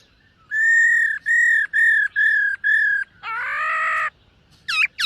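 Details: Silver-eared laughingthrush during morning voice training: five steady clear whistles, a harsh buzzy drawn-out note, then two sharp looping high notes.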